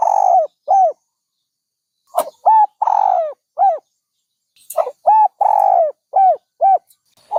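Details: Dove cooing in repeated phrases: short arched hoots, then a longer drawn-out coo and further clipped notes, each phrase separated by a pause of a second or more, with no other sounds.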